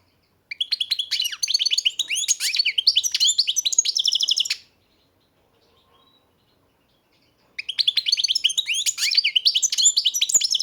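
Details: European goldfinch held by a breeder, pouring out dense, rapid twittering song with high chirps and trills, a three-second pause, then another long energetic burst.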